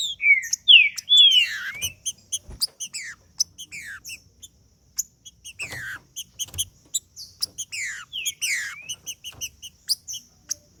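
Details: Green-winged saltator in macheando song used to get other trinca-ferros singing: strong falling whistled phrases early, then long stretches of quick, rhythmic high chip notes broken by further descending slurs and clicks.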